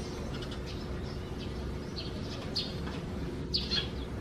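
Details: Morning calls from sparrows whose nest sits deep in a gutter hole beneath the eaves, June 2020: a few sharp, high chirps near the end over constant low background noise.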